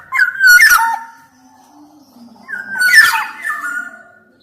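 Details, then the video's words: A singing black-naped oriole, recorded as a lure to coax quiet orioles into song. Two loud phrases, each combining mellow, falling whistles with a rasping, scratchy burst, are separated by a short lull. "Kicau Suara Kepodang Emas Gacor, Untuk Masteran, Pancingan Kepodang Malas Bunyi dan Macet Bunyi"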